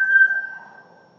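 An African grey parrot gives a single clear, steady mid-pitched whistle that fades over about a second, with nothing else heard.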